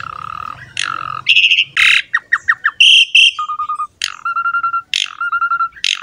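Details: Asian pied starling, a lively champion singer, used as a lure and master song to provoke other birds to sing: harsh broadband bursts and buzzy chatter, a quick run of short clipped notes, then steady mid-pitched whistled tones in pulsed repeated series.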